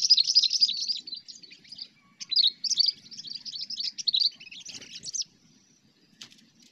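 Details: Rapid 'cengkram' chatter of a Sooty-headed bulbul used in bird luring: loud bursts of quick, scratchy, high chirps repeated for about five seconds with brief gaps, then quiet with a soft low hum and a faint click.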